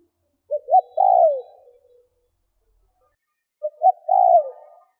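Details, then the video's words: Captive lure spotted dove, used to stir up wild birds, gives two cooing phrases about three seconds apart. Each phrase is two brief notes and then a drawn-out, falling coo. The background is otherwise silent. "CU GÁY MỒI THÚC GÙ KÍCH BỔI NHANH NỔI - TIẾNG CHIM CU GÁY KÍCH BỔI"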